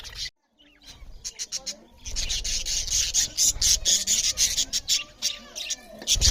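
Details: Budgerigar parrots chirp loudly while eating; after a brief quiet start, a dense, scratchy, pulsing chatter of high notes builds and continues to the end.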